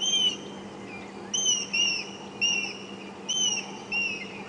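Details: African grey hornbills at Djuma Game Reserve on the morning of 31 March 2016 give frantic, high, clear alarm whistles in short bursts about once a second, each slurring slightly, over a low hum, while dive-bombing a harrier-hawk raiding a possible nest.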